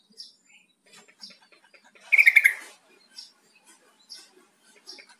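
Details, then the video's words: A yellow-vented bulbul calls, used to coax a silent kept bird into replying and singing: a single burst of quick bubbling notes, slightly descending, over regular faint high ticks in the background. "SUARA PANGGILAN TRUCUK"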